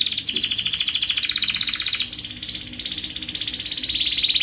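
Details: Canary in sustained song to prompt other canaries: a continuous rapid rolling trill throughout, changing pitch slightly after two seconds, over faint low background noise.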